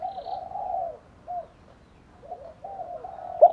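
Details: Spotted doves, male and female, calling to stir wild birds, in thúc, gù and gáy gọi styles. Quiet, drawn-out low cooing comes in short bursts with brief pauses, ending on a sharper note.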